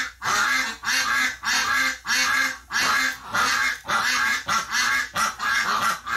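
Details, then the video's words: Ducks reacting to the death of a flock member in hospital, November 30, 2018: about ten loud, nasal, rasping quacks repeat at a fairly even pace, roughly every six-tenths of a second. "Duck Dies in the hospital, rest of the ducks freak out"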